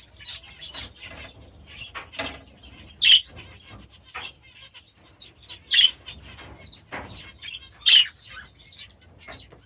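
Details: Recently grown budgerigar youngsters settling into a new aviary in a new season give scattered soft chirps, broken by three sharp, loud, high calls spaced a few seconds apart.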